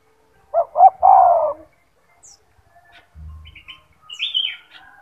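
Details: Caged gacor turtle dove song used as a training master: one phrase of two short coos and a longer falling coo, then high chirps from another bird.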